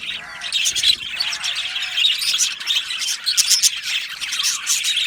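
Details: Aviary budgerigars chirping happily as a colony, overlapping bright, high twitters and rapid warbled notes, with a few lower, softer whistles near the start.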